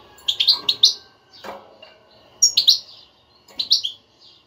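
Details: European goldfinch 'batbata' twittering meant to prompt a non-singing pet goldfinch to sing: rapid clusters of three to four sharp, liquid chirps, repeated in bursts roughly every second, with a soft low thud between.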